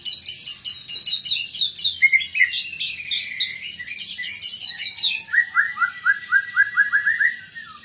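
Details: Full-fill fighter white-rumped shama opens with rapid, very high repeated chips over buzzy notes, then switches to a steady run of about ten short, rising whistled notes.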